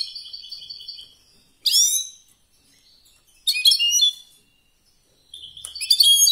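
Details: European goldfinch singing in competition style: a rapid trill, then separated bursts of high descending chirps with silent gaps.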